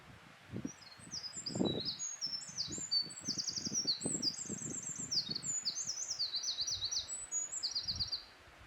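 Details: Eurasian wren singing a long, high-pitched, rapid song of tumbling trills and twittering runs lasting about seven seconds. Low rumbling and rustling background noise is heard throughout.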